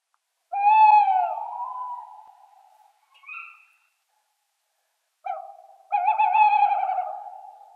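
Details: Tawny Owl hooting: a long, mid-pitched hoot that slides down and fades, a brief higher note, then a louder, tremulous drawn-out hoot near the end, all against a silent background.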